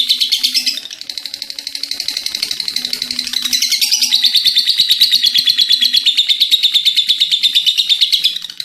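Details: Lovebird giving a long ngekek chatter, a quick rattling series of high rasping notes that softens briefly after the first second, then climbs back to a loud steady run to the end.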